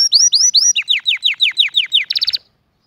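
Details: Canary singing a flawless song meant for teaching young birds and stirring males and females to mate: a loud run of rising whistled slurs, then a series of falling notes, ending in a fast trill of short high pulses.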